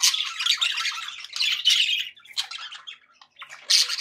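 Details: Pet budgies chattering happily, a loud dense burst of raspy warbles fading into scattered chirps and clicks, then a final loud squawk.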